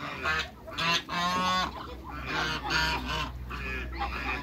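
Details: Hybrid Cayuga–mallard ducks give loud, harsh, nasal quacks in overlapping bursts, several calling together, with a low steady hum underneath.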